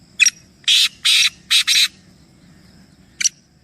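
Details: Black francolin, three birds present, delivering a grating phrase of five harsh rasping syllables, the last two run together, followed after a pause by the start of another burst; soft low hum underneath.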